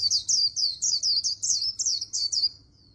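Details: Fast 'líu đấu' contest song of an Oriental white-eye trained in Vietnam in a magpie-robin-like style: about ten bright, high, down-slurred whistles delivered evenly and rapidly, ending with a fading note.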